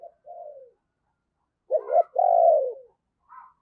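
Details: Decoy spotted dove used as a lure, cooing to call in wild doves: soft low coos, then a loud double-note coo followed by a long, drawn-out, slightly falling coo, with a faint short note at the end.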